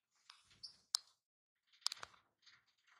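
Quiet, high twittering chips from a European goldfinch, in a few short bursts over three seconds, mixed with sharp clicks.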